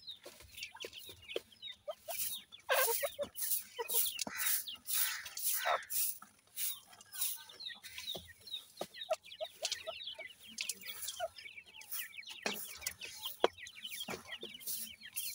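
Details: Several grey francolin chicks calling during feeding, a dense, steady stream of sharp high chirps and peeps overlapping almost without pause, with occasional louder bursts throughout.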